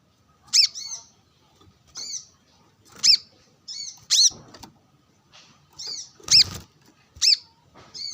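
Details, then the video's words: Brown-throated sunbird calling to a rival while sunning near wild birds: shrill, abrupt high notes interspersed with softer slurred twitters, irregularly spaced, plus a couple of broadband clicks. "Kolibri kelapa | manggar gacor narung bersama burung liar | wiceh gacor"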